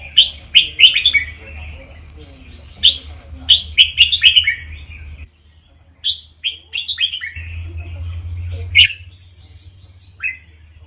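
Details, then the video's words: Red-whiskered bulbul tutor song, a beautiful model song used to rouse and excite listening birds: bright, bubbly chirped notes in quick clusters, two main phrases around a short pause, plus a steady low hum beneath. "เสียงนกกรงหัวจุก นกครูเพลงเพราะ ๆ ยั้วนกฟังนกคึก"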